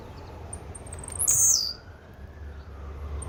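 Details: One high-pitched song phrase from a Blue-black grassquit: a few thin ticking notes run into a sudden sharp buzz. Low background hum continues throughout.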